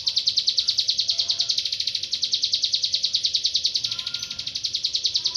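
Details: An actively singing Bar-winged prinia (ciblek gunung), played to teach songbirds. It gives a fast, regular series of shrill, high chip notes, close to three per second, over quiet background noise.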